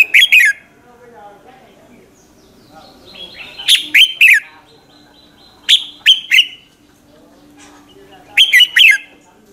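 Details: Red-whiskered bulbul in morning song, used as a lure to call other birds; clusters of two or three sharp, falling chirps about every two seconds over a soft whistled undertone and low hum.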